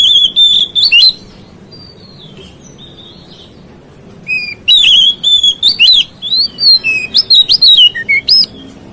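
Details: Oriental magpie-robin song meant to provoke other magpie-robins: high sweet whistles and buzzy trills in a short burst, a pause, then a longer fast stream of varied high notes.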